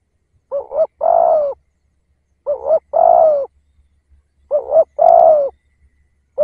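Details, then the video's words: Decoy spotted dove giving softer, spaced phrases roughly every two seconds, each a wavering double-humped note followed by a smooth drawn-out coo; faint low hum in the background. "Tiếng Cu Gáy / chim cu gáy kích bổi nhanh nổi / Cu gáy / Chim cu gáy mồi / cu mồi"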